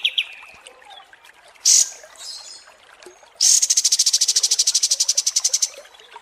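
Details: Kapas tembak, or Pied Triller, in songbird training audio: scattered high chips and a short burst, then a loud, very high, fast trill of repeated notes that gradually softens.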